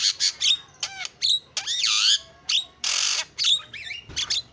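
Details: Starling lure song with swooping whistled slurs, harsh buzzy bursts and short sharp notes, in a chain of separate phrases.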